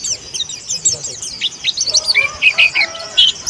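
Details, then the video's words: Pleci monty, an Indonesian white-eye, a young bird in training to sing. High rapid chirps open the stretch, then shorter whistled notes follow, with a faint voice-like murmur underneath. "PLECI MONTY BELAJAR BUKA PARUH"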